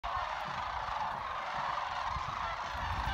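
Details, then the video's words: A flock of sandhill cranes trilling and chatting at Jasper Pulaski Fish and Wildlife Area: a dense, overlapping chorus of rolling trills that merges into a steady crowd-like murmur with no pauses. "Sandhill cranes trilling and chatting"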